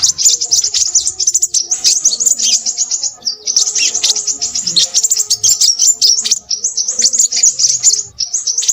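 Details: Restless high twittering of a Crimson sunbird, fast chains of thin chirps with short breaks, over a faint steady low tone in the background.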